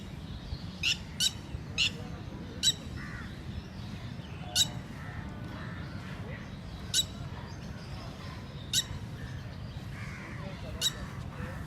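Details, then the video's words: Indian red-wattled lapwing at a lake, in its daily activity around mating, gives sharp, high, clipped notes, singly or in quick pairs, at irregular gaps over a steady low rumble of wind or distant traffic. "calling Red Wattlad lapwing (Titodi)"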